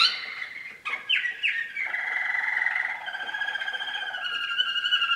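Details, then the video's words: Young 2013 novice Waterslager canary singing loudly: a few quick sliding notes, then long unbroken water-like rolling trills that shift pitch, with clear, fast, regular pulses throughout. "waterslager 2013 noveles"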